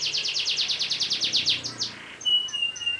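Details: Long-rolling canary song played to train other cage birds: a quick, steady trill of repeated slurred notes for nearly two seconds, followed by thin high whistled notes.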